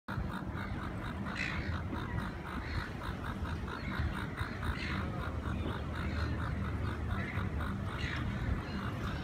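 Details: Gulls at Fremantle during mating, giving a fast, steady run of short nasal calls, several each second, with louder harsh bursts near the start, middle and end over a heavy low rumble of wind.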